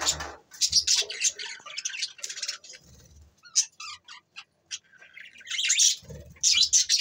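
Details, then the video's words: Budgerigars, December 22, 2023, with rapid clusters of sharp, high chirps and squeaky warbles, then scattered single notes and a near-silent gap, before a loud burst of chatter resumes near the end. "Bueatiful Sounds Bueatiful Budgies birds"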